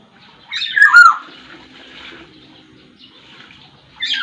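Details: Sumbawa black-naped oriole, known as kepodang sumbawa, in vigorous voice: one short harsh slurred note with a bright whistled drop, followed by quiet hiss and another brief rough note at the very end.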